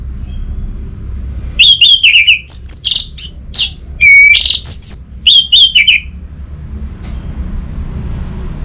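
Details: Orange-headed thrush pouring out a dense, varied song of quick high chirps, sweet slurred whistles and harsh notes for about four seconds, followed by quiet background noise.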